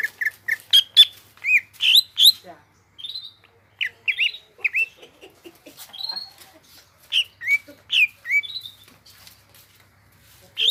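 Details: Cucak ijo, the greater green leafbird, in lively gropyokan gacor song: separate sharp high notes and short slurred whistles in irregular bursts with brief pauses.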